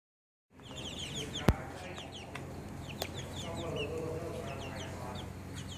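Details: Chicks peeping: many short, high downward-slurred peeps overlapping throughout, with a low steady hum underneath and two sharp clicks near the start.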